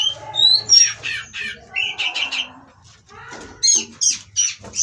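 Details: Oriental magpie-robin (kacer) at a breeding farm during mating, meant to provoke rivals into song: harsh squawking bursts and rasping notes mixed with a few high whistles, some low background hum.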